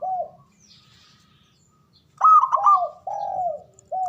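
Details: Male zebra dove ngoar manggung call for stirring mating arousal: a soft falling coo, silence, then a burst of quick ringing notes followed by longer, smoothly descending mellow coos.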